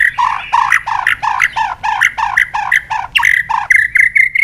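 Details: White-rumped shama singing a lure track for silent shamas: harsh, chattering notes repeat rapidly, about four per second, then run into a sustained high, slightly buzzy whistle at the end.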